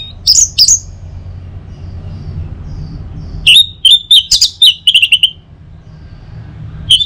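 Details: An orange-headed thrush sings in the morning to stimulate other birds. Two loud whistles open, then after a pause comes a dense burst of repeated short whistled notes, followed by one final note.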